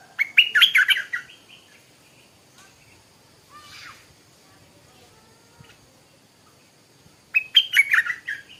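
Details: Small Stripe-throated bulbul decoy bird in a cage in the morning, giving two separate bursts of fast, jumbled, bubbling notes with a long quiet gap between them and one soft call in the middle.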